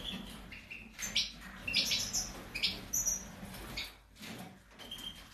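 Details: European goldfinch of the subspecies major, recorded in 2019, gives brief high chirps and short twittering bursts over steady low background noise.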